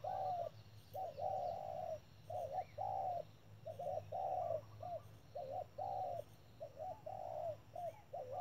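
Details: Urging 'thúc' calling by a decoy spotted dove at a trap: steady, dense series of rounded, low coos in two- and three-note groups across the whole stretch.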